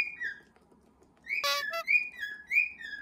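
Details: Pet cockatiel whistling at home during the household's 'cockatiel march', a young male joining in: a few clear, drawn-out whistled notes, broken midway by a brief harsh, noisy burst, then more rising-and-falling whistles.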